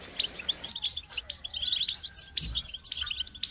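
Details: Goldfinch song delivered as a dense, fast jumble of tinkling chirps and trills, nearly continuous, with a faint low hum underneath.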